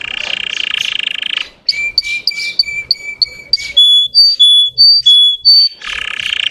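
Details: Russian canary song used to stir up untrained canaries: a dense buzzy trill, then a series of clear whistled notes repeated about twice a second, alternating between two pitches, before another fast rolling trill.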